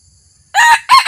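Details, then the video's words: A newly trained decoy red junglefowl rooster, out for the first time to draw in wild birds, starts a crow after a half-second of near silence. Two loud, rasping syllables follow, the second cut off. "ต่อไก่ป่า | ไก่ต่อใหม่พาออกครั้งแรก"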